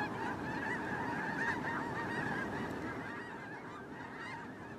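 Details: Migrating snow goose flock: continuous overlapping honks, rapid and crowded, a few louder nearby yelps standing out early, the chorus easing slightly toward the end.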